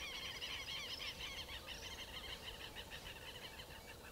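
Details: A Chalk-browed mockingbird (Mimus saturninus) gives a busy, varied song of harsh chattering notes mixed with bright whistles, about three a second, over a low steady rumble.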